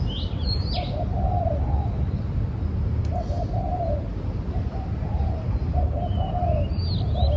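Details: Dove giving low, soft coos in short bursts roughly every two seconds against a loud low rumble, with small birds chirping briefly in the background.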